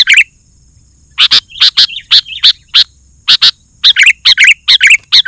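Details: Sooty-headed bulbul song used to provoke other bulbuls into singing and to lure wild birds: loud, short, bubbly chattering notes in bursts of two to four, separated by brief pauses.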